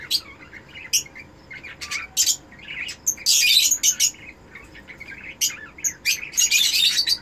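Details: Breeding pair of red-eyed cockatiels calling as they mate: rapid chirps and short squawks, with two extended loud harsh screeching bursts in the middle and at the end.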